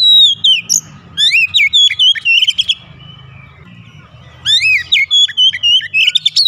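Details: Oriental magpie-robin therapy song aimed at a bird reluctant to sing: loud chains of sweet, slurred whistles and ticking notes in two long bursts, with a gap of low rumbling between them.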